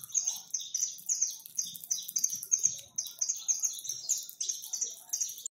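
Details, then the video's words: Saffron finches, free birds numbering over a hundred and being fed in a backyard, keep up a thick flock chatter of high, quick tweets and trills that run together without pause. "Canário da Terra livre em meu quintal e cantando"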